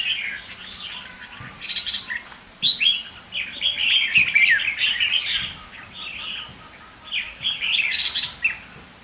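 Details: Red-whiskered bulbul (chào mào): lively bursts of rich, fast warbling and chirping phrases, some sliding downward, separated by brief pauses.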